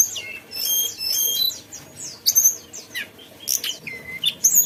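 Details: Energetic song of a mountain tailorbird, a run of high chirps, short whistles and sharp downslurred notes with brief pauses, one lower flat whistle near the end.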